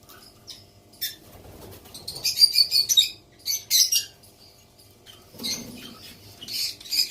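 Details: Baby female white cockatoo making raspy, hissing screeches in clustered bursts, with soft rustling and shuffling sounds between calls.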